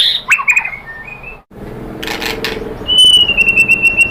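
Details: White-rumped shama pancingan song intended to stir another bird into answering. Brief descending whistles, a pause with faint rustling, then a long, steady high whistle with rapid flutter.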